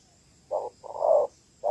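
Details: Female Malaysian spotted dove calling to stimulate males, a lure used in ground trapping; three low hollow coos, short, long, then short, over a quiet background.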